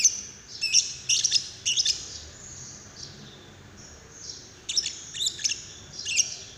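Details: Lovebird prompting calls, labelled paud, meant to get another lovebird to sing: clusters of piercing high chirps near the start and end with a quieter pause between.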